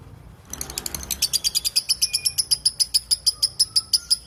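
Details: After half a second of quiet, a lovebird starts its long ngekek chatter, a clear tutoring recording for songbirds: sharp, rasping chirps building to a rapid, even pulse of about three per second.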